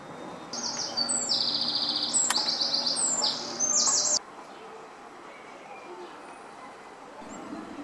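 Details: Garden Eurasian wren pours out a loud, very high, fast trilling phrase of rapidly repeated notes lasting about four seconds, which stops abruptly and leaves quiet background.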